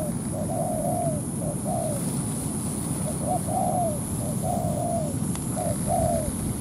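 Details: Spotted dove, a decoy on a ground trap luring a wild dove down to fight, gives soft hoarse cooing phrases of two to three notes, repeated roughly every second, over a steady low rumble and a faint high whine.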